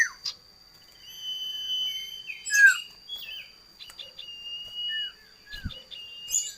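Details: Common iora, known locally as sirtu or cipoh, giving scattered whistles: a long steady high note, several short downslurred notes and brief chips, with a faint constant high electronic tone behind.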